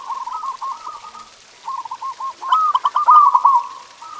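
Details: Zebra dove tutor song meant to make kept doves sing: a chain of quick, gurgling coos, then a louder rolling phrase ending in a smooth drawn note.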